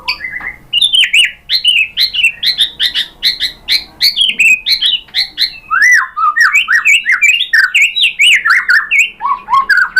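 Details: White-rumped shama song used as provoking bait to make a caged shama answer: a rapid, unbroken run of loud, varied whistled phrases, sliding notes jumping up and down in quick succession without pause.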